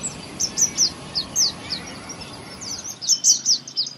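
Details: Feeding baby birds up close: repeated high, sharp downslurred cheeps in short runs, growing faster and louder near the end over a faint steady hiss.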